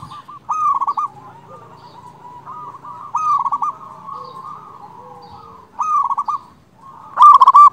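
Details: Local zebra dove with a powerful voice calling rivals: brief trilled cooing phrases spaced a couple of seconds apart, the final burst louder and more emphatic, over a faint hum.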